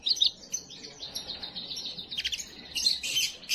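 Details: Canary singing to prepare and stimulate females, a fast, high-pitched run of bright trills and chattering rolls, rapid note strings varying in speed and loudness without pause.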